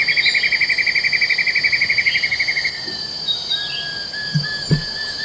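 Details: A black-and-yellow broadbill (Eurylaimus ochromalus) at Congkak, West Malaysia, in 2022 gives a fast, even, pulsing trill that runs for nearly three seconds and then fades, over a steady high whine of insects.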